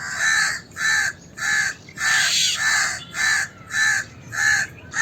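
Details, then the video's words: Indian crow giving an alarm call, described as a predator sound: a steady series of harsh, nasal caws, about eight in five seconds, each evenly spaced, with faint background hiss. "Indian Crow Alarm Call / Crow Alarm Sound"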